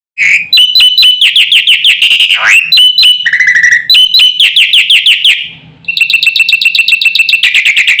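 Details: Black-winged myna in full, vigorous song packed with varied phrases, used to provoke other mynas into calling: rapid bursts of chirped notes, a sliding downward whistle, a lower buzzy rattle, then fast repeated chips after a brief pause.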